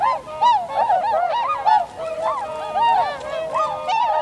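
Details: A winter flock of Tundra swans, recorded 7 February 2015 with a handheld camera and external mic: dense, overlapping bugle-like honks, each a short nasal arc, tumbling over one another continuously.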